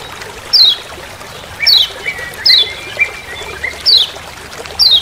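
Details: Forest recording of a Lemon-bellied white-eye from Lombok, with five crisp, high, descending "ciak" notes at uneven intervals over soft, level lower whistles.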